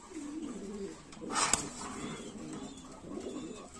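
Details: Lahori pigeons at a farm in Comilla give soft, low, rolling coos, with a brief rustling burst midway.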